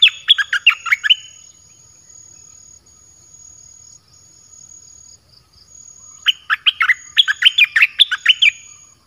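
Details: Red-whiskered bulbul song played to call wild birds in, with various song phrases: two bursts of quick warbled, bubbling notes, separated by a long pause, over a steady thin high tone.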